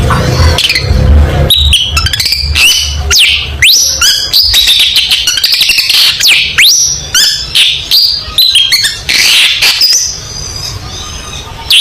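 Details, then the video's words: Long-tailed shrike pouring out a dense competition-material song, rapid chattering strings of sharp chirps, piercing whistles and sweeping slurred notes crowded together for the whole stretch, low rumble at the start. "MASTERAN Burung Cendet Gacor Full Tembakan Mewah Materi Lomba"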